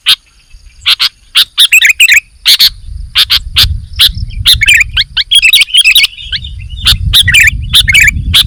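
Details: Sooty-headed bulbul in full song: scattered sharp notes and twittering chattered phrases over a steady low background hum.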